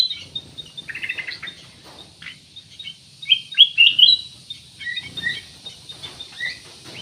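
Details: Lively ruby-throated bulbul, kept as a lure to get other birds singing, gives quick chirpy notes, then a loud cluster of clear whistled slurs midway, followed by softer scattered chirps.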